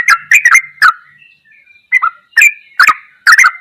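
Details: Sooty-headed bulbul singing ropelan goklikan for songbird training: a burst of quick clicking chirps, a pause with soft whistles, then further chirps spaced about half a second apart.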